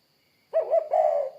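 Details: Brief low coo from a spotted dove: two quick hollow notes and then a longer drawn-out coo, with a faint steady high hum behind.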